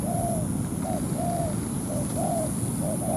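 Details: Ground-trap decoy spotted dove luring a wild dove into a territorial fight; soft low coos, one long note then shorter clipped ones at uneven gaps, over a rumbling background and a thin constant high tone.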